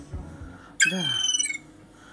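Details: A young gull, a chick raised indoors and spending its first winter in a city flat, gives one harsh, squealing call of under a second, high and slightly rising before levelling off, amid its owner's talk.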